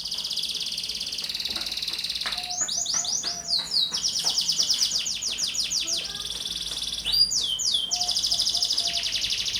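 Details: Young canary singing energetically, used as a lure to prompt other birds to sing and learn. It delivers loud high rolling trills and rapid repeated chirps, with sweeping whistled phrases and a steady background hiss.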